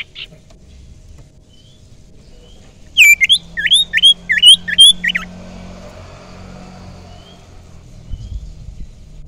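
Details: Young wild common iora, used as a lure bird, giving a rapid run of about six hooked, sharply rising and falling whistled notes over two seconds, then falling quiet with faint low background hum.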